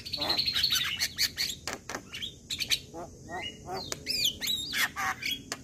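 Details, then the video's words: Javan myna (jalak kebo) singing in the morning with fast, uneven chatter, harsh rasps and several sweeping whistled notes, dense and busy throughout. "Suara Kicauan Jalak Kebo pagi Hari"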